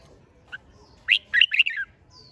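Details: Competitive singing from a red-whiskered bulbul, meant to fire up birds to sing often; after a short soft note comes a single bright, rapid phrase of rolling, slurred whistles falling at the end.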